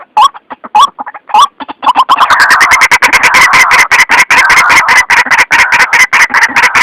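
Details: White-breasted waterhen lure recording used by trappers, said to be clear and natural like in the wild: a few separate harsh calls, then a dense, continuous run of loud, rapid croaking notes.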